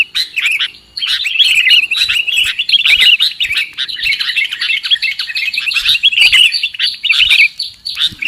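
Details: Lure call for trapping sooty-headed bulbuls: a dense run of quick chirps and trilled bubbly notes, briefly pausing just before the first second, then continuing nonstop.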